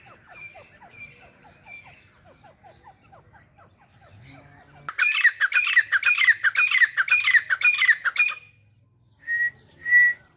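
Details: Grey francolin pair, Dhakni teetar: after soft chirps from another bird, six loud grating phrases come in quick rhythm, then two clear whistled notes.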